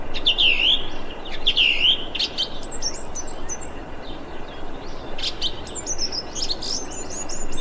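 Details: Thrush calling on 25 February 2021, outdoors; high chirps and short squeaky, rising-falling notes come in bursts about a second apart, with buzzy high twitters overlapping from several birds against steady background hiss.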